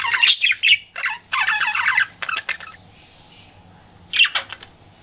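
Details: Pet budgerigar flirting: a few bursts of buzzy, warbling chatter and squawks, then a quiet gap before one last short chirping burst.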